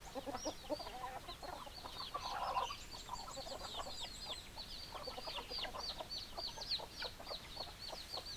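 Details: Chickens in a busy flock: dense chorus of high thin downslurred peeps over many low clucks, continuous and overlapping throughout.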